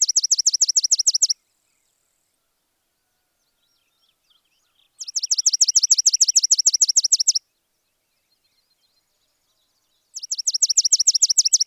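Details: A sparrow gives three long runs of rapid, high, bright chirps, each lasting two to three seconds at a steady fast rhythm, with quiet pauses between runs.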